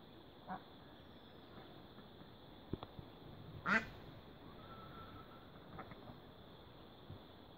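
A single loud, rasping duck quack stands out midway, with a faint thin peep after it and a few soft clicks over a steady background hiss.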